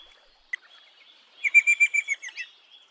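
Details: Eastern rosella producing a short burst of about eight clear, ringing notes in quick succession, preceded by a single sharp click and faint chirping.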